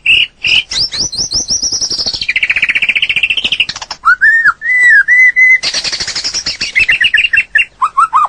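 A White-rumped shama sings a rich, varied song: rapid chattering runs, then clear down-slurred whistles and rising notes, with sharp clicks between the phrases.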